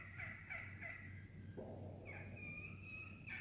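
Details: Wild turkey flock feeding in woods, vocal: quick sharp clucks (cutting) in a short series, then a drawn-out rolling purr, over a low steady hum.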